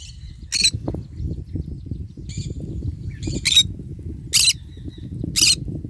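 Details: Green-cheeked conure eating and basking in the morning sun: five short, harsh, broadband squawks at irregular intervals with a few faint thin chirps between them, over a steady low rumble of chewing or handling noise.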